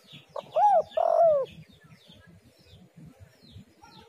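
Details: Spotted dove lure call: one phrase of a quick hoot, an arched note and a longer falling coo, followed by steady high chirping and twittering of small birds.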